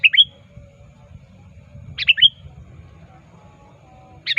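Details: Sooty-headed bulbul actively calling a rival, used as a trapping lure: brief pairs of bright, slurred chirps, the second ending in a thin whistled tail, repeated about every two seconds over low background rumble.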